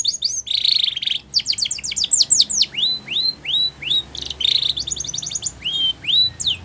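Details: Timbrado canary singing for training, mixing bright metallic rolls with series of quick falling chips and evenly spaced rising whistled sweeps.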